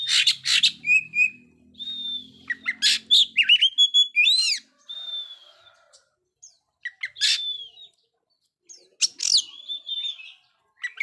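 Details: Oriental magpie-robin in ngobra style, used to test birds that are still mute. Loud, rapid clusters of sharp chirps, harsh bursts and bending whistles, alternating with several short silent pauses.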